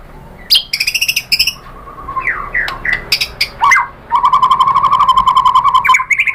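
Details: Lure song of a white-rumped shama, used to make shamas answer: a few buzzy, harmonic notes and swooping whistles, then a fast, steady trill that runs to the end.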